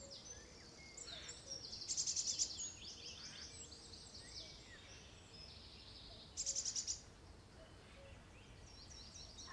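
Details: Wild birds singing on a foggy forest morning in California, USA: scattered high whistled phrases and two bright, rapid trills, over a steady broadband rushing background.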